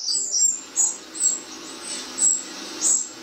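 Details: Responding to a replay of their song in a garden, wrens utter bright, very high chirps, a quick pair then evenly spaced notes, over low hum.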